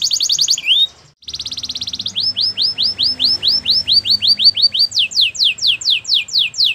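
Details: Spanish Timbrado canary song with a short pause, then a quick rattling roll, a steady series of arched whistled notes, and a closing run of steeply falling notes.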